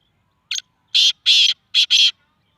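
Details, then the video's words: Black francolin calling in Sindh, Pakistan, giving one full phrase in clean surroundings: a brief scratchy opening note followed by four harsh, buzzy, grating bursts, the middle ones longer and the final pair tightly linked. "kala teeter sindh Pakistan"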